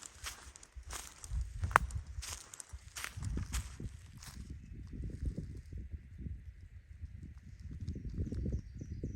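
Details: Drumming, likely a male Ruffed Grouse's mating display, heard from a trail in Big Island Lake Wilderness: a run of deep, muffled low thumps; sharp clicks and footsteps come first, and a faint steady high hum follows.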